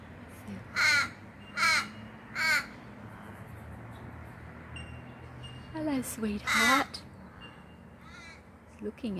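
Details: Crow or raven in a garden giving three loud, rasping caws in quick succession, then a pause and a further burst of hoarse calls, with a woman's soft voice speaking to the bird between them.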